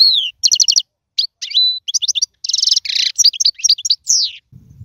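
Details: Goldfinch song intended for teaching young birds: a downslurred whistle, rapid trilled bursts, one level whistled note and a buzzy rasp, followed by faint low rumbling.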